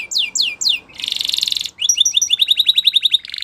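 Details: A Spanish Timbrado canary in training song. It opens with three descending swept notes, then a dense buzzy roll, then a quick string of chirping notes ending in a short metallic trill.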